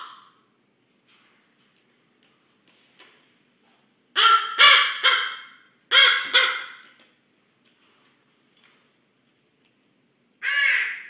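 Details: Snoring of a sleeping common raven, close up: a quick series of three or four harsh, rasping bursts in succession, a pause, then one more gravelly rasp, with faint clicks between.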